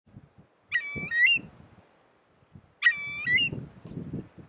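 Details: Eurasian curlew of the nominate subspecies calling in July 2013 at Spiggie, Shetland, UK: two ringing two-part calls, a steady lower tone rising into a higher whistled ending, over a low rumbling background.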